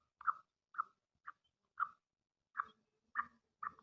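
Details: Female black francolin (kala teetar) calling: seven short, soft, clipped notes, each a brief burst spaced roughly every half second, with a short pause midway; otherwise quiet background.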